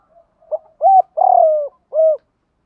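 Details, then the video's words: Low, mellow coo phrase of a spotted dove, used to train captive-caught birds: a short opening note, a soft rising coo, a longer trilled coo sloping down, and one clean closing note. "tiếng chim cu gáy dùng tập bổi hiệu quả hàng ngày, giọng hạp bổi"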